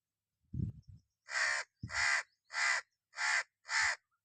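Red-naped ibis giving five harsh, nasal screaming calls, each about half a second long, in quick even succession, with a few low thumps at the start.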